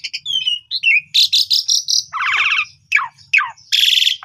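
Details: In the afternoon, an Asian pied starling sings a fast, varied medley of high clear whistles, harsh buzzy chatter and sharply falling slurred notes, used as a training recording for young starlings.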